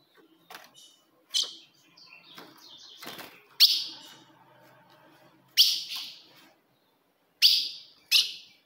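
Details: Ultramarine grosbeak female call used to challenge a male: sharp, high chips separated by long gaps, with a stretch of low rustling and fluttering in the middle.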